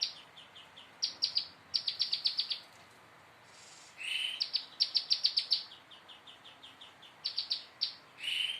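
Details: Prinia learning to deliver fast song bursts: clusters of rapid high chirps, a rasping buzzy note, then more quick runs of bright ticking notes separated by short pauses.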